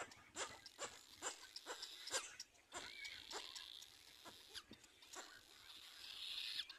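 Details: Little black cormorant chick being fed well by its parent gives harsh, raspy squeaks about twice a second, with bursts of hissy rustling between calls.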